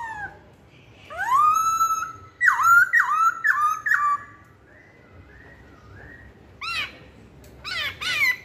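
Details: Masked laughingthrush for luring, opening with a long swelling whistle, then a series of looping downslurred notes, softer level whistles, and two bursts of hooked upward notes.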